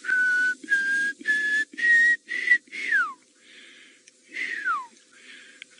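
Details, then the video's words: Pearl-spotted Owlet calling in the distance in the late afternoon towards sunset in May at Djuma Game Reserve, Sabi Sand, South Africa: clear rising whistles then long downslurred notes over low hiss; confirmed an owlet, not a drongo mimicking. "can hear a little pearl-spotted owlet calling in the distance."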